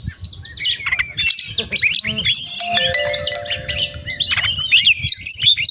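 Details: Oriental magpie-robin with full 'isian' song: rapid whistles, chirps and buzzy phrases, partly overlaid by a few steady sustained tones midway, with low rumbling noise beneath.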